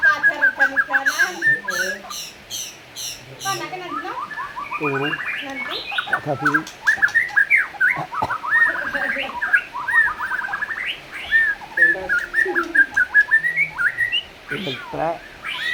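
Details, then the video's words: Energetic black-tailed white-rumped shama song, used to prompt other shamas to sing: a long, varied stream of whistles, rattling phrases and quick chattering notes with shifting pitch, delivered continuously. "pancing dengan suara murai ekor hitam gacor"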